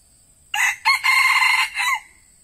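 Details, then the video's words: Decoy red junglefowl (tedung type) used to lure wild birds, giving one loud, harsh crow: a short opening burst, a brief note, a long sustained middle section and a final note that bends downward, all within about one and a half seconds. "AYAM PIKAT TEDUNG BERAKSI"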